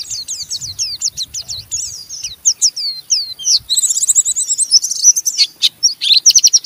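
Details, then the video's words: Caged Oriental white-eye chattering roughly, ngeriwik style, to provoke other white-eyes to join in; a series of sharp slurred notes, then a fast buzzy trill and rapid high chirps to the end. "Burung Pleci Ngeriwik Gacor merangsang Pleci Bahan ikut Ngeriwik Sampai Buka paruh"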